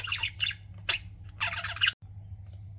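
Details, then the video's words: Pet budgies close up, giving rapid raspy chirps in quick bursts, then a longer scratchy chattering phrase that breaks off abruptly. "CUTE PET BUDGIES CHIRPING"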